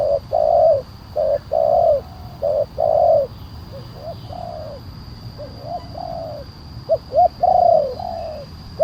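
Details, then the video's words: Big-voiced spotted dove, kuk 1 style, used as a lure for wild doves. Full, mellow coos come first in close succession, then softer two-note lead-ins with falling coos, over a constant low hum. "Suara pemanggil burung tekukur kuk 1 penguku suara besar"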